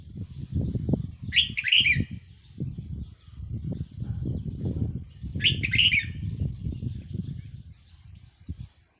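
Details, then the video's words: Red-whiskered bulbul kept as a decoy, recorded 4 May 2023: two brief lively whistled phrases about four seconds apart over continuous low rumbling and thumping noise. "เสียงนกต่อ นกกรงหัวจุกแก้มแดง"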